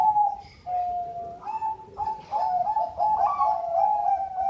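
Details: Bangkok-type zebra dove (perkutut) with a ring number, kept at a bird farm in Sidoarjo, East Java, singing sweet, mellow tonal coos: a long steady note, then a string of short warbling coo phrases, recorded indoors.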